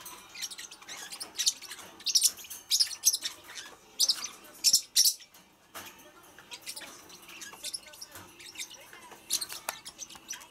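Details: Pacific parrotlet calls: sharp, high chirps and squeaky tweets in quick, irregular bursts, loudest in the first five seconds, then softer scattered chirps.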